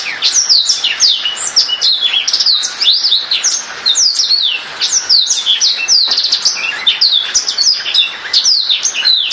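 A Black-throated canary sings a fast, continuous twittering warble of high, sweeping slurred notes and buzzy trills, running without pause.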